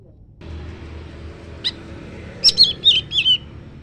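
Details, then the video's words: Leafbird singing in exchange with a scarlet minivet: a short high note, then a quick run of clear, downslurred whistled phrases, each dipping and repeated about twice a second, over a low background rumble. "Kicaun SIRI SIRI raja... ⁉️ BERSAUTAN dengan SEPAH raja."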